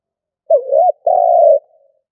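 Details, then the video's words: Decoy spotted dove's stuttering coo: a wavering, arched first note, then a long, level, hollow coo, in a quiet setting. "Cu gáy mồi gù cà lăm"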